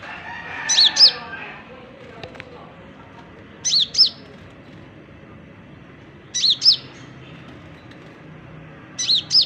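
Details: Oriental magpie-robin starting to sing: short high whistled phrases of two quick rising-falling notes, repeated about every three seconds, with faint low background hum.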